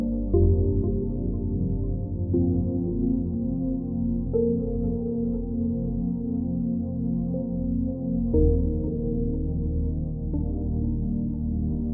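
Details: Soft, sustained ambient music with low droning chords shifting every few seconds, and no animal calls.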